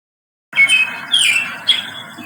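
A parrot gives three harsh, grating squawks in quick succession, each rasping and high-pitched, with no other sounds around them.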